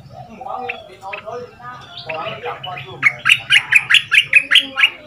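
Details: Caged Red-whiskered bulbul, southern Thai double-note style, two months in the cage, used to teach young birds; mixed chattering notes at first, then a loud run of about ten rhythmic whistled phrases, roughly four per second.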